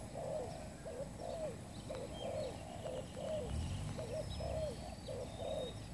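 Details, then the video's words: Trapping lure spotted dove, newly acquired, giving a fast, steady string of soft coos, about a note per second or quicker. Faint twittering of small birds sounds behind. "pikat terkukur burung baru"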